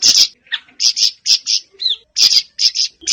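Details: Rasping, high chirps in doubled bursts from a Siri-siri bird, meant to stir kept birds into singing, spaced roughly half a second apart, with one short rising whistle in the middle.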